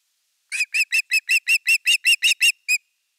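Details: Osprey at nest #3 in Finland, 30 August 2021, evening fish: a clear series of about twelve piping, whistled notes, evenly paced and loud, with no other sounds.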